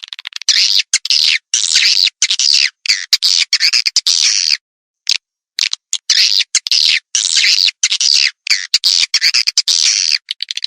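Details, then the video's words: Broadcast edible-nest swiftlet call used to attract birds: long, dense, rasping twitter bursts in steady succession, with one clear pause near the middle. "SUARA PANGGIL BURUNG WALET"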